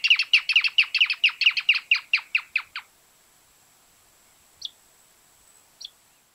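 Greater Thornbird song: a rapid run of about fourteen loud, sharp chirps that slowly fade, followed by two lone notes after a pause.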